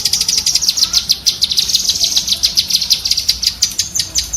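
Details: High chattering of a cucak kinoi bulbul meant for teaching pet birds: bright, piercing chips delivered in a dense, even stream, several per second, without pause throughout.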